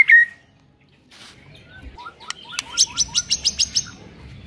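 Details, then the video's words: A white-rumped shama sings to provoke a sluggish shama. After one bright note and a pause, a rising series of short, even, repeated chips follows, growing louder over about a second and a half. "JELAS NYAUT ..!!! MURAI BATU LOYO LANGSUNG NAIK EMOSI & BONGKAR MATERI MENDENGARNYA"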